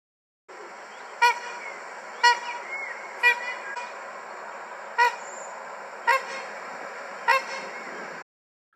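Trumpeter swan giving six loud, brassy, horn-like honks at uneven intervals of one to two seconds, over a steady background hiss.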